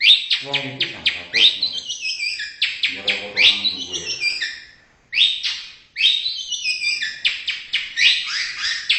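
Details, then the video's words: Indonesian white-rumped shama singing a rich, varied phrase of bright whistles and quick descending trills, with bursts of lower buzzy, harmonic notes, and a short pause near the middle before the whistled phrases resume. "MURAI BATU INDONESIA Burung predator cerdas bersuara emas"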